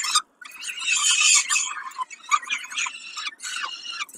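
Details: Peregrine falcon at Kawęczyn during a snack, dated 20 05 22: a short silence, then a loud rasping squeal that breaks into choppy, stuttering calls.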